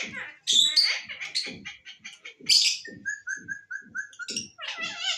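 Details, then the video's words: A pet green parrot talks: a string of rhythmic speech-like syllables mixed with short squeaky whistles and a run of evenly spaced clear whistled notes. "Talking parrot"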